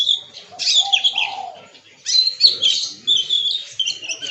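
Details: Oriental magpie-robin (kacer) pouring out its learned 'isian' repertoire: bright, varied whistled and scratchy phrases in rapid bursts, a brief lower warble near the start, other birds faintly mixed in.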